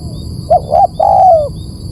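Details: Spotted dove lure phrase: two short hooted notes then a sustained, gently falling coo, heard over a low rumble and a constant faint high-pitched hum.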